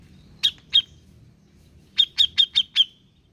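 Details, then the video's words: Grey-cheeked bulbul sound used to prompt a reluctant bird to sing; two sharp, clipped notes followed after a pause by a quick run of five similar bright notes, each a brief downward flick. "Pancingan Cucak jenggot malas bunyi"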